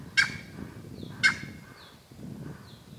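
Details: Two loud, harsh, grating Cheer Pheasant calls about a second apart at Manela, Uttarakhand, with faint high, thin falling whistles and a low rumble behind.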